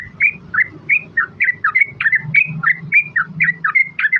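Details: Yellow-vented bulbul, a female calling to the male, used to lure other birds to answer: rapid chattering run of short bubbly whistled notes, each rising then dipping, about three per second, with a low steady hum beneath.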